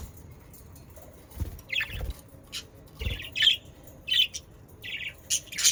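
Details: Budgerigars in the Den Haag region of South Holland, Netherlands, sounding to encourage pet budgerigars to sing. Short squawky chirps come roughly every half second to second, separated by quiet gaps.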